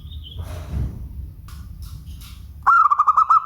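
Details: After some rustling and faint clicks, a local zebra dove breaks into a loud, rolling coo of rapid pulsing beats.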